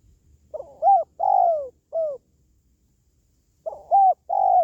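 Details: A repeated spotted dove phrase: a faint lead note, an arched coo, a long descending coo and a short falling note, then a pause before the next phrase begins.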